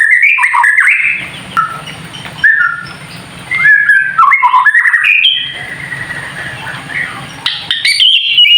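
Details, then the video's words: A White-rumped shama's kretekan song for provoking other birds to sing: separate bursts of slurred whistles and chatters with short pauses between, a low hum and a faint constant high tone underneath. "KRETEKAN murai batu TERBAIK UNTUK MEMANCING EMOSI agar burung murai menjadi GACOR"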